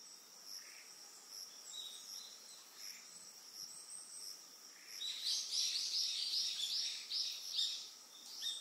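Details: On Amami Oshima, Japan, an Eastern yellow wagtail gives a rapid run of sharp, high chirps lasting several seconds in the second half. A constant chorus of pulsing crickets sounds underneath.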